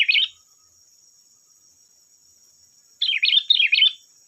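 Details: Lure song of a sooty-headed bulbul meant to make other bulbuls sing back: a brief bubbly phrase at the start, then after a pause a longer run of three or four chirpy, rolling notes; a thin constant high whine sits underneath.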